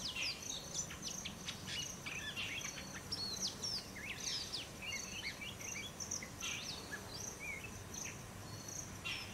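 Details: A male Oriental magpie-robin gives a varied run of sweet whistles and sharp chirps, over a steady high insect drone and a faint low background hum.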